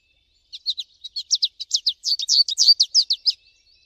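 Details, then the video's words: Singing wild American goldfinch: a continuous run of fast, high, chirpy notes delivered about three to four per second, bright twittering that builds and then stops, in otherwise quiet surroundings. "PITASSILGO AMERICANO CANTANDO MUITO NA NATUREZA - CANTO DO PINTASSILGO AMERICANO"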